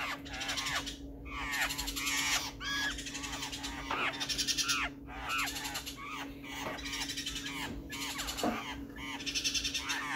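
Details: Black-faced laughingthrush recorded on June 12, 2020. Several birds give harsh, harmonic, down-slurred notes in dense, overlapping chattering bursts. A steady low electrical hum runs underneath throughout.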